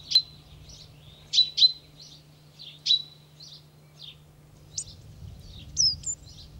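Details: Great tit filmed in France giving irregular short, sharp high chirps, some in quick pairs, mixed with softer scattered notes and a final slurred twitter, over a steady low hum.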